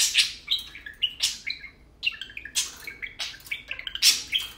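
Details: Two tame pet budgerigars playing and talking indoors: fast warbled chatter of short harmonic chirps and rasping bursts, in clusters separated by brief pauses, over a quiet room background.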